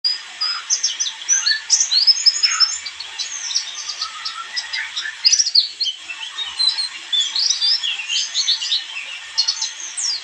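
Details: White-eye song played to lure birds: a dense, continuous chatter of quick high chirps, short twittering trills and thin upward-flicking notes, coming in rapid overlapping bursts without pause.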